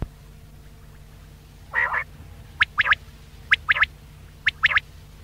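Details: Quail call used as a hunting lure: a short burst of buzzy notes followed by three groups of sharp, quick repeated clicks, roughly one group per second, over a low steady hum.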